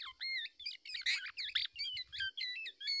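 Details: An adult black-naped oriole guards its chick against a male that tries to seize it. Rapid run of sharp, squeaky chirps and slurred whistles comes in tight clusters with brief gaps.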